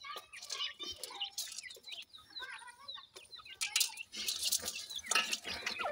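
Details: Francolin chicks, 28 days old, feeding in a yard: many short high chirps and twittering notes overlapping, with sharp pecking clicks and faint rustling between them.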